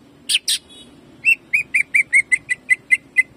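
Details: Greater green leafbird, jamtrok-style tutor song meant to provoke and warm up other leafbirds: two rough buzzy notes, then a steady run of about ten crisp whistled notes repeated fast.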